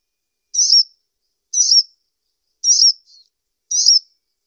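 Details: Four high, buzzy chirps from a kolibri ninja sunbird, evenly spaced about one second apart, one followed by a faint short echoing note; nothing else heard.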